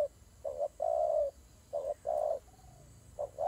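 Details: Doves fighting: short coos leading into long low burry notes, repeated in pairs with short pauses between, over a soft steady hiss.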